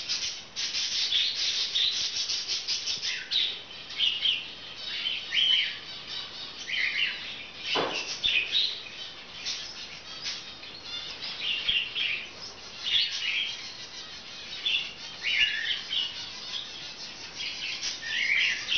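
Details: A 5-week-old female baby budgerigar chatters with dense, scratchy chirps and warbles, nearly continuous with brief pauses.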